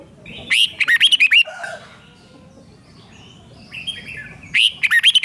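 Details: Red-whiskered bulbul song, played to rouse caged birds: two energetic phrases of six or so quick, rising and falling whistles, separated by softer chirping from other birds.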